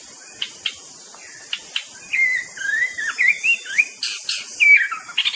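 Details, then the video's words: White-rumped shama (murai batu) song: scattered sharp clicks give way to a flowing, warbled run of wavering whistles and chattering notes, ending in bright upslurs over a background hiss. "bird nature sound murai batu"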